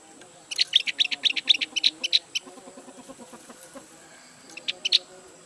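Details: Caged Javan white-eye, newly bought and not yet singing fully, giving a fast run of about a dozen high sharp chips, a pause, then a few more, over a low steady background hum.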